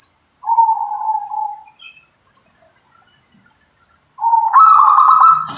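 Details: Zebra dove of local stock: a lower rolling purr, a pause, then a higher stuttering trilled coo. A constant thin high-pitched buzz, like crickets, sounds behind the bird.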